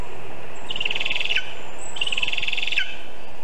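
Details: Lesser spotted eagle at the Zemgale birch nest, 19 August 2023 at 9:24 am, as a vole is brought in. Two buzzy, quavering high calls about a second apart, each with a falling tail.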